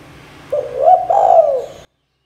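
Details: Spotted dove, called tekukur or derkuku, giving a single long, mellow coo that swells and then slides downward, used as a training call for young birds.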